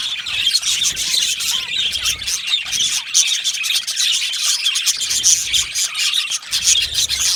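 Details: Yellow male budgies in an aviary colony twitter busily, mixing quick high chirps, squeaks and warbled phrases in an unbroken overlapping chorus.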